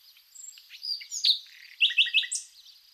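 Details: Common nightingale singing in spring among wild flowers in Zagorochoria, Epirus, Greece; varied high phrases with a quick run of three loud sharp notes near the end, a faint steady cricket pulse behind.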